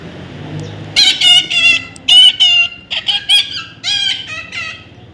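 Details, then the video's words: Young parrot calling in bursts of loud, nasal, harmonic squawks, some clipped and stuttering, others drawn out, with short irregular pauses between them and faint hum behind. "natural funny parrot sound"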